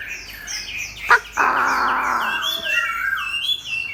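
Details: Chinese hwamei in competition next to a fighting bird, tail spread: whistled notes, a sharp click, then a harsh buzzy burst, followed by high, fast repeated whistled slurs.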